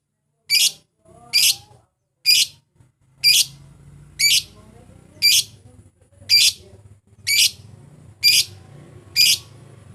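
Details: Lovebird calls used as a lure to draw out rivals and get a bird singing, for morning, afternoon or night: ten shrill, sharp high chirps repeated roughly every second, with faint low background hum.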